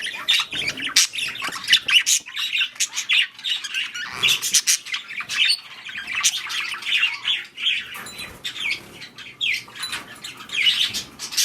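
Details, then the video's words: Breeding budgerigars during mating chatter in long runs of warbled squeaks, scratchy notes and occasional harsh squawks, with a few short quiet gaps. "Budgies / parakeets | Mating / Breeding"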